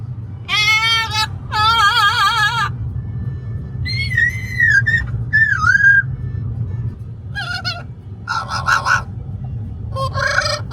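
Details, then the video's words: Talkative Amazon parrot in a car on the way to a brewery: wavering, warbled phrases, short whistled notes bending up and down, and buzzy bursts, all over constant road and engine noise. "Parrot noisy road trip to the brewery!"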